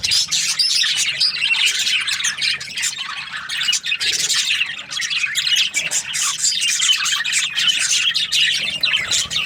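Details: Budgerigars keep chattering in dense overlapping chirps and short harsh squawks, a continuous high twittering that barely pauses.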